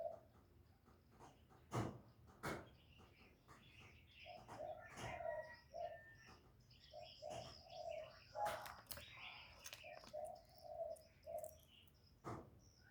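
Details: Kept spotted dove used as a decoy to lure wild doves, giving low hollow coos in short repeated phrases, partly masked by other birds chirping, clicks and background noise.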